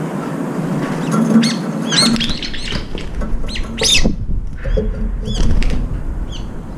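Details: Brown-eared bulbuls squabbling over a feeder, some flying off after one another: harsh screechy squawks mixed with wingbeats and fluttering, several loud bursts through the clip.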